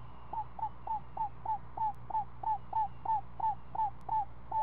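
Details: Screech owl nestling, a week old, being fed at the nest, calling in a regular string of short, clear descending-tailed notes, about three per second, over low background hum.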